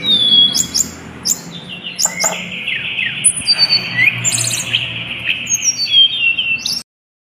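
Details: Mountain tledekan singing, played as a lure to get other birds singing: bursts of sharp high chirps and short trills, with thin slurred whistles and rapid twittering, busy and loud until the sound cuts off near the end.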